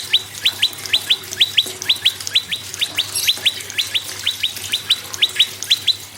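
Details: Prinia, called prenjak lumut, singing to prompt other cage birds: a steady, fast run of paired upward-flicked chirps, roughly two notes each second, continuing without a break.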